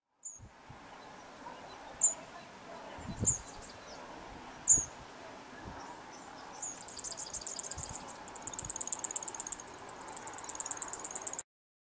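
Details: A male yellow bishop gives a few sharp, high ticks, then a long, thin, sizzling buzz of rapid dry notes. Low thumps of wind or handling are also heard.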